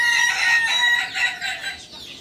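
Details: Part of a crow from a Kukuak Balenggek cockerel, a chicken native to Solok in West Sumatra. A loud, sustained, harmonic note wavers slightly and fades over two seconds.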